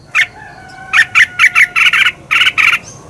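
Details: Red-whiskered bulbul competition song: a short run of about eight clear, rolling whistled notes, the later ones longer and buzzier, with a faint steady tone underneath.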